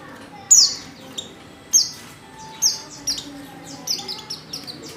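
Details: Female white-eye in heat, calling for a male: a strong high falling chirp, then further sliding notes that grow softer and closer together, with quiet background noise.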